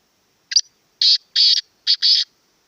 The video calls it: کالے تیتر کی بہت پیاری آواز voice of . black francolin